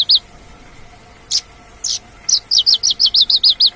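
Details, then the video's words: Wild Australasian bush lark: two isolated sharp high chips, then an even, rapid series of about ten short upslurred notes repeated several times a second, with a faint hum in the background. "kicau branjangan dialam"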